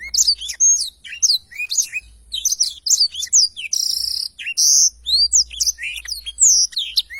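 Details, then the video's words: Non-stop long rolling song from a Blackthroat, meant for teaching songbirds: tumbling high whistles and chips, broken by two short buzzy, rasping phrases, delivered rapidly throughout. "Tarikan Suara Blackthroat Super Gacor Ngerol Panjang II masteran burung blackthroat"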